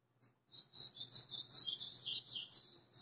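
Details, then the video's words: White-throated seedeater in full azulão-style song, 20 April 2020: a continuous string of high, quick, sweet slurred notes rising and falling, delivered loudly and steadily for over two seconds after a brief silence. "GOLINHA AÇOITANDO LINDO"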